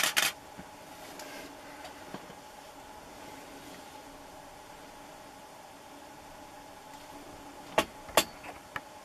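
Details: Quiet steady hum broken by a few sharp clicks and knocks at the start and near the end, with no animal call.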